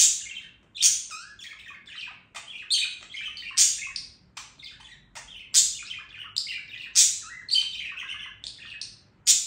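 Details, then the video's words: Steady budgerigar warble: a lively run of shrill squeaks, clicks and grating chatter, with loud bright peaks roughly every second over nearly ten seconds of continuous song. "Periquito Australiano Cantando"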